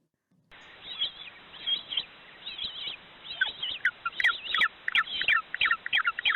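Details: Penguin calls played as a sea-creature sound: harsh chattering squawks, sparse at first, then tightening into a rapid run of sharp notes.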